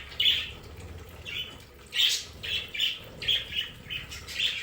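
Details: Pet budgerigars in their play area give short, bright chirps, each clearly separate, about one every half second, over a faint background of softer chatter.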